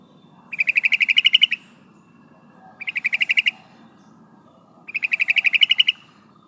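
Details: A female yellow-vented bulbul calls for a male with three bursts of quick, harsh chattering notes, each about a second long and evenly spaced, over a quiet background murmur.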